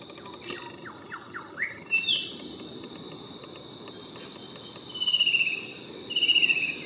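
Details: Fan-tailed cuckoo calling from a treetop on the North Coast of New South Wales, Australia: two high, rapid, slightly falling trills a second apart over steady insect drone, after short chirps.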